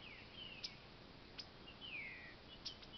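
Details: A captive-bred green-winged saltator in an aviary gives faint, clear whistled slurs that fall in pitch, with a few sharp clicks over a steady background hiss.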